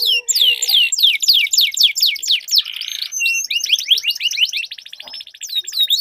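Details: Two canaries in a singing duel, meant to prompt stalled birds to sing: rapid downward-sweeping notes in quick series, buzzy trilled passages and rolling chatters, dense and continuous, without background noise.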